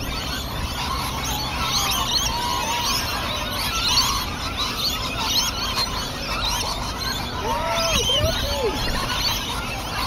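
A noisy flock of lorikeets screeches continuously, harsh shrill calls overlapping in a dense chatter, with a few lower squawks standing out near the end.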